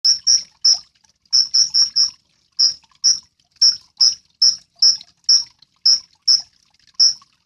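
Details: Sunbird, locally called kolibri ninja, in a recording used to train songbirds. It gives sharp, high, ticking notes repeated several times a second in uneven runs, over an otherwise quiet background.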